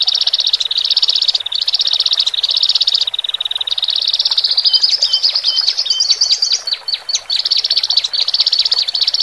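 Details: Horsfield's bush larks, a male and a female kept in cages, singing as a lure for newly separated birds: long buzzy trilled phrases split by brief gaps, a burst of quick sharp chirps midway, then more trills.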